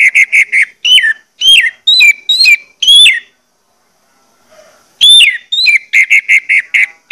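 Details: Orange-headed thrush song played to stimulate birds to sing: steady repeated mid-pitched whistled notes, then upward-flicking and downslurred whistles, a pause of about a second, then the pattern resumes.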